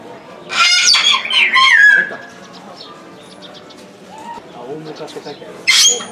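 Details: Salmon-crested cockatoo at Omiya Park Small Zoo, Japan, December 2017, calling again and again: a burst of loud, harsh squawks with a falling, raspy tail over about one and a half seconds, then a quieter stretch and a final short screech.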